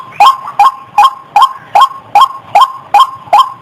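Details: Female white-breasted waterhen lure call, a trapper's recording: nine gruff, rising notes in under four seconds, metronome-steady, loud and clean with nothing else audible.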